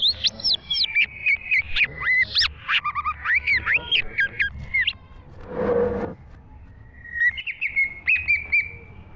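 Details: Green leafbird singing in 2023, with dense bursts of sharp whistles and chirps. A short noisy rustle interrupts near the middle before a final run of level whistled notes.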